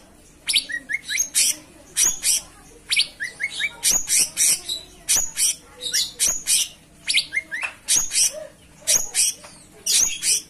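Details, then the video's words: Lively cucak cungkok song: rapid strings of piercing high chirps interspersed with short upward-sliding whistles, delivered almost continuously over a steady low hum. "Gacoran Burung Cucak Cungkok Istimewa"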